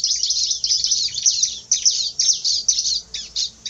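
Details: Bar-winged prinia, called fierce, pouring out loud, rasping high chirps in quick succession that gradually thin out into separate notes.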